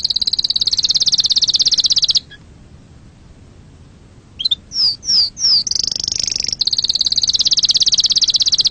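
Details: Canary song aimed at exciting other birds and teaching chicks to sing: a dense high rolling trill, a brief pause, three clear downslurred whistles, then the fast trill resumes.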